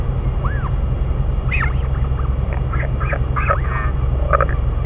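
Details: Adult royal albatrosses feeding their chick, New Zealand: scattered short arched chirps and clipped notes, irregular and fairly faint, against a heavy low wind rumble.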